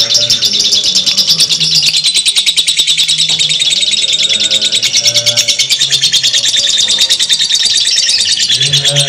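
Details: A lovebird's extended ngekek: an unbroken, machine-gun-fast series of high, harsh clicking notes that holds steady throughout, with low droning tones faintly in the background.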